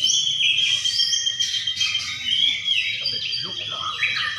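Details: At a singing contest in Sidareja, Indonesia, a white-rumped shama gives long, clear, high sustained whistles mixed with sliding notes and quick chatter, other birds audible behind.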